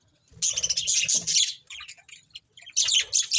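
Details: Budgies chatter in rapid, scratchy, high-pitched warbles, with a loud stretch, a quieter patch of squeaky notes, and another busy burst at the end.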